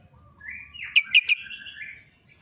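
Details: Sooty-headed bulbul whose everyday song resembles a yellow-vented bulbul's: three loud, sharp chirps in quick succession, set against a fainter warbled trill and a soft low rumble.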